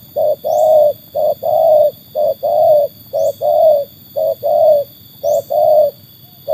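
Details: Trained spotted dove, put to the test against wild doves, giving low hollow coos: a short note followed by a longer drawn-out one, pairs repeating about once a second. A faint steady high hum runs behind.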